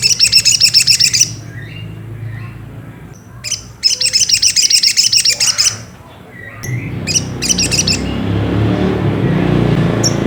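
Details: Ruby-cheeked sunbird (sogok ontong) provoking song: rapid bursts of bright, high, repeated notes in phrases of one to two seconds, separated by short gaps, ending in scattered chips over rising background noise.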